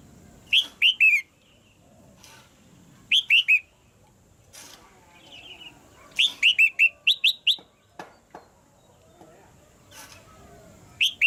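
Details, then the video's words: Red-whiskered bulbul calls from a caged female, meant to push a male into harder singing: repeated clusters of three or four bright slurred whistles every few seconds, one longer run of quick notes midway, light clicks between. "นกหัวจุก birds - เสียงนกตัวเมียในกรง กระตุ้นให้นกตัวผู้ร้องหนักขึ้น"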